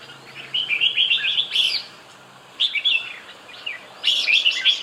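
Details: Red-whiskered bulbul delivering three bursts of bright, warbling whistled phrases, each a quick run of rising and falling notes separated by short pauses.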